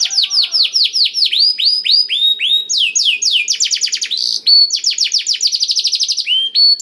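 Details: Canary singing blackthroat-type song meant to trigger singing in other canaries: rhythmic run of ringing downslurred whistles, switching pitch levels into faster rolling trills and a short buzzy note.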